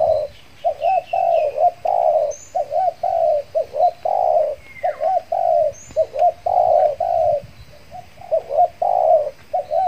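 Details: Trained decoy spotted dove from Kepri, newly out of moult, cooing while used to lure wild doves; rolling, mid-pitched coos in quick groups of two to three notes with short gaps, faint high chirps of other birds above.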